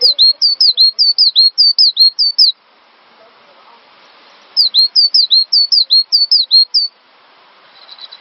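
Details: Cinereous tit singing, recorded as a master track for training songbirds: two long runs of rapid, ringing, down-slurred whistles, about twelve notes each, separated by a two-second gap.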